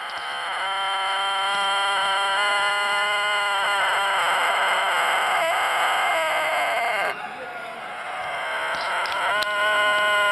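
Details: A Tōtenkō rooster, a rare long-tailed, long-crowing breed from Japan, gives a long, drawn-out crow: a steady, nasal, wavering tone held for about seven seconds. After a brief pause, a second crow begins.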